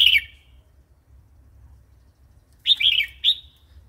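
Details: Red-whiskered bulbul giving wild-type song, a varied recording meant to rouse new or wild-caught birds and train young ones; the end of one phrase opens, then after a pause a jaunty three-note whistled phrase, over a faint low hum.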